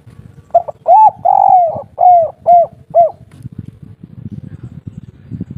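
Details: Local spotted dove singing the three-note kuk 3 style, used as a lure to get other birds calling: six soft, hollow coos in a quick series, one drawn out, then low rustling background.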